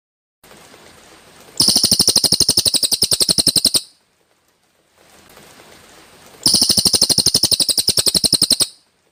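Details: Greater green leafbird (cucak ijo) with sharp, dense 'tembakan kasar' phrases: two loud, rattling trills of very rapid high notes, each lasting about two seconds, with quiet gaps between.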